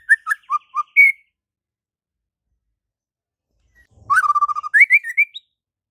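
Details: White-rumped shama in full 'isian' song, sung vigorously: a short burst of whistled notes ends on a rising slur, then after a pause a rapid trill of even notes climbs into higher whistles.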